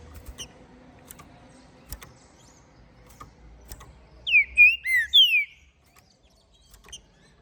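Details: Ringed green-winged saltator bred in captivity in Minas Gerais, singing a lot after moult: one bold phrase of four whistled glides, the last longest and descending, with soft tapping and low hum before it.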